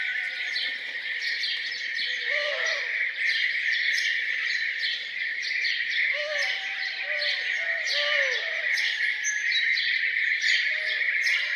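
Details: Birds singing in the morning around a farmhouse: a busy high chirping chorus over twelve seconds, joined by repeated lower, rounded, arching notes that come in small clusters.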